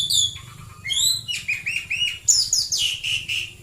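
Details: White-rumped shama in morning song, Prambanan, Klaten, Central Java: a continuous, high, rapid medley of bright chirps and whistled trills, the notes changing every fraction of a second, over a faint low background hum.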